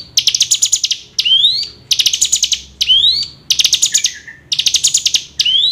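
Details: Hill prinia; call; played to prompt other birds to sing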